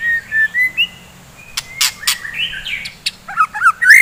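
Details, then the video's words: Morning song of a white-rumped shama, used to rouse fighter shamas: soft level whistles and a few loud harsh bursts, then a closing flurry of rapid slurred whistled notes. "KICAUAN GACOR,, DI PAGI HARI,, MEMBANGKITKAN MURAI BATU GACOR FIGHTER"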